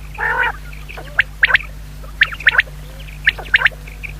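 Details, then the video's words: Common quail, described as a female, giving sharp high triplet notes, three quick pips repeated about once a second after one nasal, harmonic squawk at the start. Steady low hum underneath. "common quail.quail sound effect.batair ki Awaz.Звук самки перепела.صدای بلدرچین.صوت السمان"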